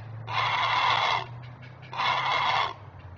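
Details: Protective great blue heron parent alerting at its nest: two drawn-out, harsh, croaking squawks nearly a second long each, with a low steady electrical hum underneath.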